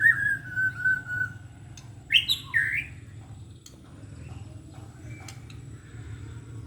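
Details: White-rumped shama in "batuk kerikil" (pebble-cough) style song: a drawn-out falling whistle, then two short, sharp whistled phrases, followed by near silence with a low background hum.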